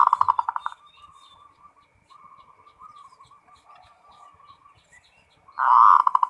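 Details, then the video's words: Full ngerot song of a local zebra dove, intended to excite breeding urge: a rapid stuttering coo run opens, a long stretch of quiet wavering coos follows, and a loud fast pulsed burst closes, with faint background chirps. "SUARA PERKUTUT FULL NGEROT BIKIN NAIK BIRAHI NAIK"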